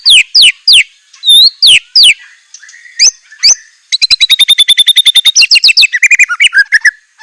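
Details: White-rumped shama in rich isian song: steep downward whistled sweeps, then a long rapid trill of even, repeated notes, about three or four per second, closing with lower warbling phrases.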